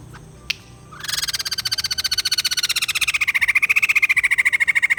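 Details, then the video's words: White-crested laughingthrush: after a single sharp note, a fast run of pulsed, harmonic chattering begins and grows steadily louder. It holds an even, ringing cackle through the rest of the recording. "Poksai Jambul males bunyi, dengar suara ini malah GACOR"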